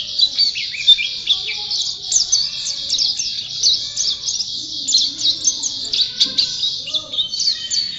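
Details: White-eye singing energetically, an unbroken high chatter of thin, tinkling chirps and short whistles, with faint lower background sounds.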